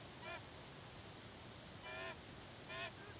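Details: White-bellied sea eagle of an incubating pair at its nest in Sydney Olympic Park, pre-dawn on 29 July 2024, giving three short, nasal, goose-like honks about a second apart over steady hiss.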